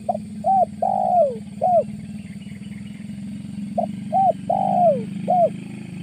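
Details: Spotted dove lure call used for trapping in August: clear repeated four-part coo phrases, short hoot, arched coo, long sliding downward coo, arched coo, heard twice over a loud droning motor background.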